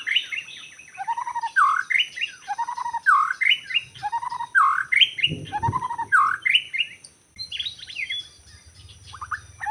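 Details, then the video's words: Forest white-rumped shama during bird trapping: a loud phrase of swooping, slurred notes repeated about every second and a half, briefly broken by a low rustle, with steady insect hum behind. "Rekaman suara asli murai batu hutan ketika sedang mikat"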